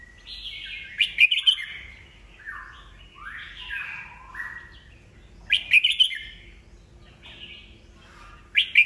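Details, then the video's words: Old wild-caught red-whiskered bulbul with a rich voice, kept to train and fire up other birds for competition singing. Loud warbled phrases alternate with a series of falling, slurred whistles, then two more bursts of bright chirping. "Chào mào già rừng bọng cực hay, siêu kích bổi, bổi nghe là hót đấu"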